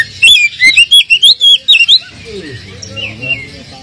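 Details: Oriental magpie-robin provocation song for a bird short of fire: a rapid string of about ten loud, wavering whistled notes, then softer, fading whistles and low background murmur.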